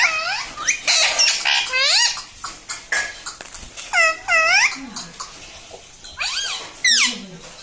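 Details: Pet ringneck parrot in a room making repeated arched, harmonic squawks and chattering sounds, some in quick pairs, mixed with clicks and rustling.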